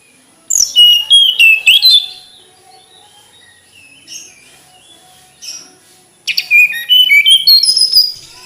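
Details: Tledekan gunung flycatcher singing: a quick burst of high, sharp chirps and short whistled slurs lasting about a second and a half, a quiet pause with faint distant notes, then a second rapid twittering phrase near the end.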